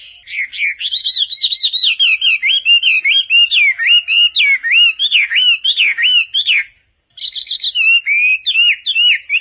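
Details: Chinese hwamei delivering a long, continuous song for tutoring songbirds: fluid, warbling whistled phrases weaving up and down, a short silence, then the rich whistling resumes.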